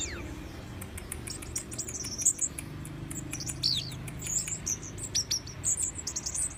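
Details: Orange-headed thrush delivering scattered high, sharp whistled notes and short chirpy phrases at moderate volume, with ticking clicks and a soft low background hum throughout.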